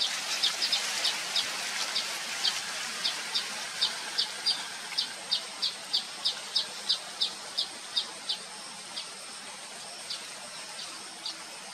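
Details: Baya weaver birds, Thookkanam Kuruvi, filmed with a Nikon P1000 zoom camera: a steady series of short high chips, about three a second, bright and evenly spaced over a faint background hiss.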